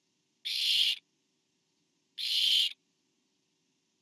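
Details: Nest camera footage of barn owls, 24 September 2015, with a parent bringing food to an owlet. Two rasping, hissy screeches of about half a second come 1.7 seconds apart, and another starts just as the recording ends.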